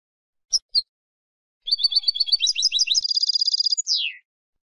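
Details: European goldfinch, Spanish song: two sharp chirps, then a quick twittering run leading into a rapid high trill that ends in a downward-sliding whistled note, in silence otherwise.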